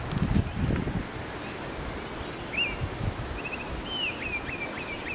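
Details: Baltimore Oriole singing an unusual song differing from its usual call, midday on 5 June 2021 at Jean Louis Legare Regional Park, SW of Willow Bunch, Saskatchewan: faint short clear whistled notes, some slurred and rising, over wind rumble and rustling.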